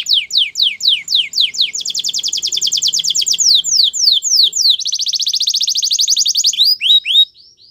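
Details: Canary song for training: loud repeated descending whistled sweeps, then fast rapid trills, another burst of quick trilled notes, and closing rising chirps, all high-pitched and clean.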